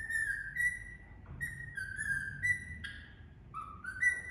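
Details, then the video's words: Indian ringneck parrot singing, a clear whistled melody of sustained pure tones that step between pitches, held notes alternating with brief drops and rises, over a quiet low background hum. "Indian Ringneck Parrot Singing"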